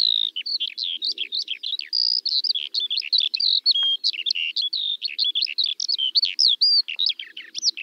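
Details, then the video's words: Skylark pouring out a continuous high, rapid warble of chirps, trills and short whistled slurs with almost no gaps, bright and jumbled throughout, the song clear against a quiet background. "Kiurun / Leivon laulua | Skylark Singing"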